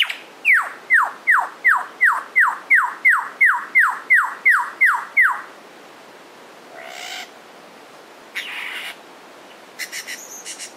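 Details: Wild male Superb Lyrebird, one of two males at Lookout Point, New England National Park: a run of about thirteen loud whistled notes, each sliding steeply downward, repeated roughly twice a second, then brief noisy bursts after it.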